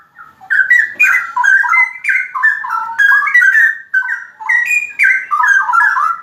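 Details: A straw-headed bulbul sings loud ropel phrases, dense bubbling whistles strung together in quick cascades with short breaths between bursts.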